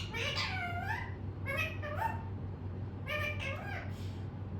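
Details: A talking pet parrot indoors chatters on and on: three short bursts of high, nasal, speech-like syllables with sliding tones, separated by brief pauses, over a steady low hum.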